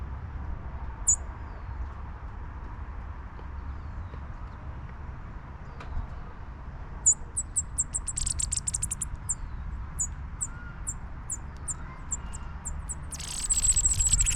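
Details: Chipping sparrows at a bird feeder giving short, high, sharp chip notes in a quick irregular series, ending in a brief dry trill, over steady low background rumble.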